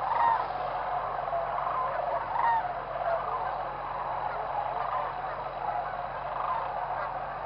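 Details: At a whooping crane roosting site in the early morning around sunrise, a flock keeps up a busy honking chorus, with distinct short trumpeting calls breaking out irregularly, roughly every few seconds, over a low steady hum.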